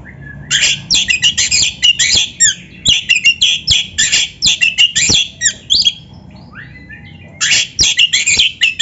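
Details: Oriental magpie-robin in full voice, played as a training lure for captive birds: dense bursts of harsh, squawky, chattering notes in rapid runs, a pause near six seconds, then another scratchy volley.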